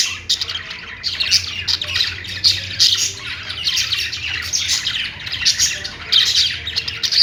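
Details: Budgerigars kept at home sing in rhythmic waves of scratchy, twittering chirps, each burst lasting about a second, over a faint low background hum.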